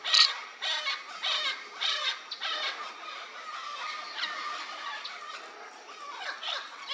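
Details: Vinaceous-breasted Amazon (Amazona vinacea) giving harsh, squawking calls, roughly two a second at first, over a busy chatter of other parrots.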